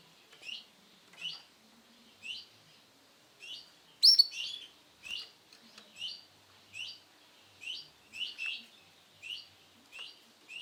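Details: Male canary, Sunkist colour variety, repeating short high chirps about every second, fairly steady, with one loud shrill burst near the middle; background quiet.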